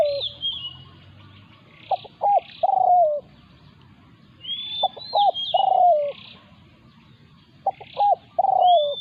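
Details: Spotted dove in a territorial clash between a decoy and a wild local bird: three evenly spaced cooing phrases, about twenty a minute, each clipped notes then a long falling coo, with rising whistles of other birds.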